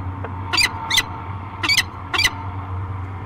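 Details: At the Great Spirit Bluff nest box on 15 March 2023, a peregrine falcon pair meets, giving four harsh, ringing, high notes in two pairs over a low steady hum.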